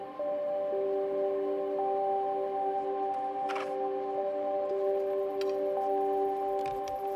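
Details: Steady sustained music tones with layered drones and a brief rustling burst midway; no animal voice is heard.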